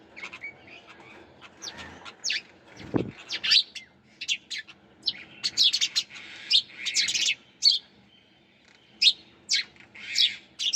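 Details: Sparrows chirping in a busy, irregular stream of short, high chips and trills, some overlapping, with a low thud near the third second and quiet background.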